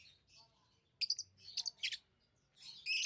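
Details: Lovebirds giving thin, high chirps, with a cluster of sharp squeaky notes followed by a longer scratchy chirp at the close.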